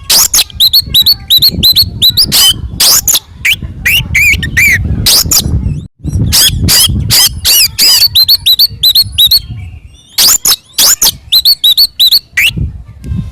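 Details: Oriental magpie-robin singing in full, fighting mood, used as a lure to provoke other magpie-robins: rapid loud bursts of sharp, high chattering and ringing whistled notes, packed in dense runs with brief pauses.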